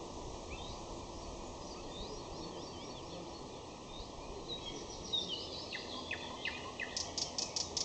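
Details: May song of a common nightingale: faint slurred whistles at first, then louder rising and falling phrases followed by a fast series of sharp, evenly spaced clicking notes, with constant background hiss.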